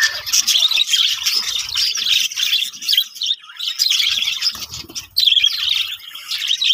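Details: Budgerigars kept in a breeding colony, high chirping and twittering from many birds, rising and falling in loudness, with low rustles and knocks in the background.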